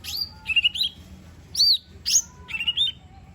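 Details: Lesser green leafbird song rich in fill-ins, meant as a lure for a bird that will not sing: rising and falling whistles with short trills, and a faint steady lower tone beneath.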